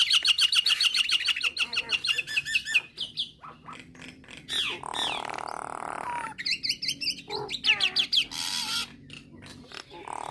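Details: Nias hill myna song meant to provoke starlings to sing: rapid repeated scratchy chatter and metallic notes, then a buzzy middle section, a short whistle and more quick rattling phrases.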